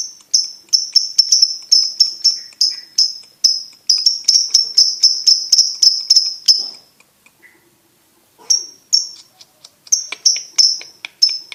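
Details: Champion competition lovebird pouring out a long, tight string of shrill ringing chirps, almost three a second, stopping for about two seconds, then resuming the same rapid high chirping.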